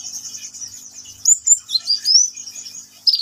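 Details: Vigorous (gacor) song of a sunbird known as kolibri ninja: a continuous thin, very high trill overlaid with quick sweeping whistles that climb and drop, then a sudden sharp burst at the end.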